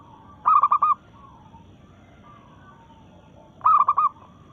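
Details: Local zebra dove in breeding mood, challenging rivals with two clear phrases of four rapid, bubbling coos about three seconds apart; a softer drawn-out coo sounds faintly between them.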